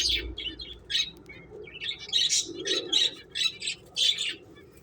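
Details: Playing finches giving short high chirps, about one or two per second, each a brief bright note, over faint low background murmur.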